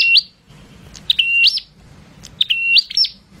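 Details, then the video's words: Prinia singing loud, sharp chirped phrases, each a high whistle that steps up and flicks upward, repeated about every second with brief gaps, over a faint low hum. "Prenjak Gacor Suara Bocor Harian Der Dor"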